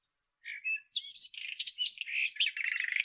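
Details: White-throated robin (Irania gutturalis), song.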